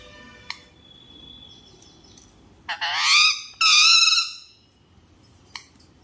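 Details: Angry parrot letting out two loud, harsh, raspy screeches in the middle of the recording, the second longer and sustained, with faint short clicks before and after in an otherwise quiet setting.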